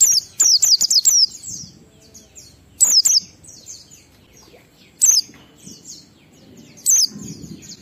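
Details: Oriental white-eye ngalas song for luring pet birds to sing: an opening run of six high, falling chirps, then sparser single or paired sharp tweets, with soft background noise.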